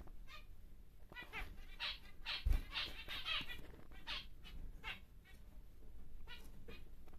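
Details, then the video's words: Normal grey male zebra finch, large and caged for breeding: a run of nasal, stacked buzzy notes clustered in the middle seconds, then sparser calls, with a thump and faint low hum behind. "BİG Zebra Finch (NG) Normal Gri Male"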